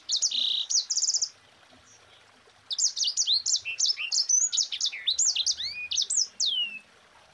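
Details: Mozambique canary tutor song, 'ngerol rapat' dense roll: a short buzzy trilled opening, a pause, then a long rapid run of high rising and falling whistles and chips ending in a downslurred note.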